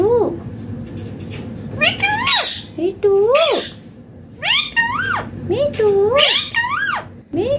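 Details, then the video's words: Ringneck parrot, Indian green form, repeating a mimicked phrase over and over: strong arched, nasal syllables rising then dropping, in clusters separated by short pauses, with harsh squawky bursts between. "Indian Green Ringneck Parrot talking natural sounds/voices clear"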